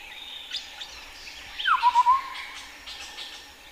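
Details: A chestnut-headed partridge (Arborophila cambodiana) in highland forest at Bokor National Park, Cambodia, gives a slurred downward note, then four quick, low, mellow whistles, with faint insect hiss and distant bird notes behind.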